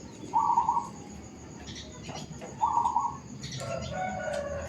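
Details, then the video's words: Zebra dove cooing in a suburban housing area: two short, rolling, mid-pitched trilled phrases about two seconds apart, with faint background noises and another lower sound at the end. "Suara Burung Perkutut di Komplek Perumahan | Perkutut Bird Sound in Suburban Area"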